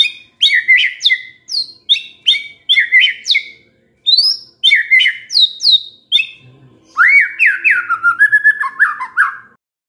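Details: White-rumped shama, said to be stressed, suddenly singing in response to a lure. Rapid bright whistled notes sweep downward in dense bursts, a brief pause, then a series of rich slurred rising-falling whistles.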